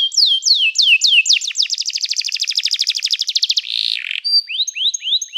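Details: Training song of a canary: a few drooping whistles, then a long rapid rolling trill. A short buzzy note follows before more slurred high whistles.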